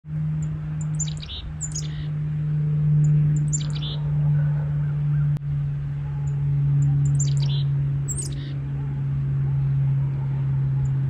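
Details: A Carolina Chickadee gives its chick-a-dee call, used to coordinate flock movement and flag food or danger: about four bursts of thin, high chick notes, each running into a few buzzy dee notes, over a steady low rumbling hum.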